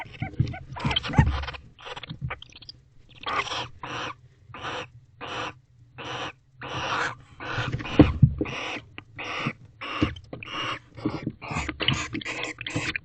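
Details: Barn owl pair in an owl box at night, 19 October 2024, shortly after mating and while affectionate: raspy, noisy hiss bursts repeated roughly every half second to second in a steady series, with soft scratching between them.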